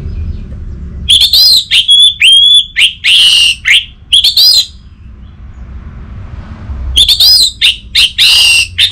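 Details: Orange-headed thrush song in a northern Bali recording played to get silent thrushes singing. Two long bouts of fast, loud, high whistles and harsh buzzy notes, repeated rapidly about every half second, with a quieter gap between.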